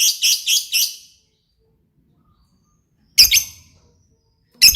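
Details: Lovebird giving gacor-style bursts: a quick string of four harsh, squeaky chirps, a silent gap of about two seconds, then two more chirps and a final sharp note.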